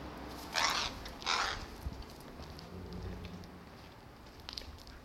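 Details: Crow squabbling over snacks, one quick bird snatching all the treats given to another crow that patiently trails it hoping for a dropped morsel; two short harsh caws in quick succession early on, then quiet background with faint clicks.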